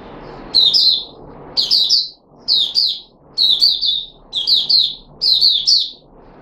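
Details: Puteh Raja red-whiskered bulbul, a kept bird on special fruit juice, a mealworm and a supplement, 13 April 2021, delivers six short, bright whistled bursts, each a quick descending cluster, about once a second, with faint background rustle.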